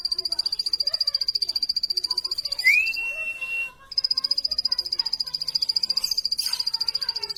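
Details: A plain prinia pours out a fast, regular high trill that breaks off briefly as a long rising whistle sounds, then resumes steadily.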